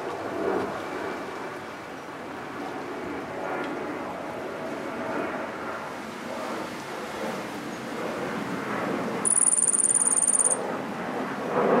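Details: A Yellow-faced Grassquit, which likes eating apple, gives one thin, very high, buzzy trill lasting just over a second against steady rumbling noise from strong wind.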